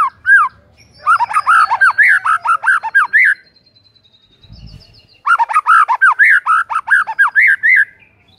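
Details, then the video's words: White-rumped shama song used to prompt silent shamas to sing: two long bursts of fast, rich, arched warbling notes separated by a brief pause. "PANCINGAN MURAI BATU GACOR , 100% EFEKTIF UNTUK PIKAT MURAI MACET"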